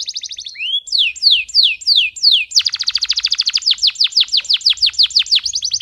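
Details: Male canary in heated, excited song meant to tutor young canaries and stimulate females: a fast buzzy trill, then a run of sweeping falling whistled notes about four per second, breaking into a rapid rattling series of sharp downslurred notes and closing with a trill.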